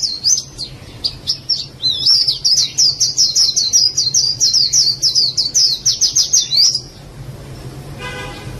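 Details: White-eye giving a fast, high-pitched twittering song: a run of sharp, chirpy notes repeated rapidly for about five seconds, then falling quiet. A steady low hum runs underneath, and a brief horn-like tone sounds near the end.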